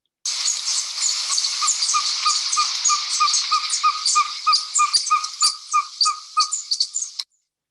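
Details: Ferruginous Pygmy-Owl, a usually crepuscular bird found by day with eyes open in winter on Mexico's Yucatan Peninsula, giving a long, even series of mellow whistled toots, about three per second, over a steady hiss.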